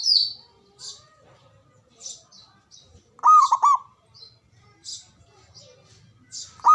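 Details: A male zebra dove, or perkutut, delivers one rolling phrase of quick, throaty pulsed coos, with the start of another at the end. Scattered high chirps from smaller birds run throughout.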